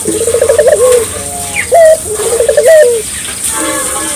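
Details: Barbary dove song used to set local doves singing: two low tremolo coos ending in a falling glide, separated by a short loud flat note, with soft hiss behind.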